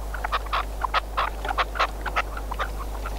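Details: A friend's captive decoy red-legged partridge, used for hunting, gives a quick, uneven run of short, harsh clucking notes, several each second, over a steady low hum.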